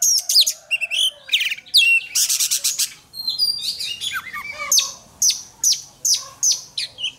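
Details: Oriental magpie-robin singing in contest training: loud, varied phrases of sharp high whistles, rapid buzzy trills and downslurred notes, delivered in quick bursts with short pauses.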